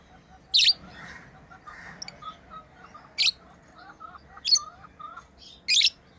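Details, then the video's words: Pet lovebirds at play, sharp high chirps at about 0.6, 3.2, 4.5 and 5.7 seconds, with soft lower twittering notes in between against a quiet background. "Lovebirds playing & Chirping sounds"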